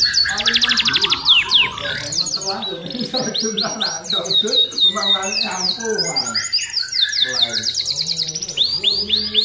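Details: Canary singing vigorously for song training: dense, fast trills and rolling high syllables repeated about four per second, overlaid on busy lower chattering and warbling sounds throughout.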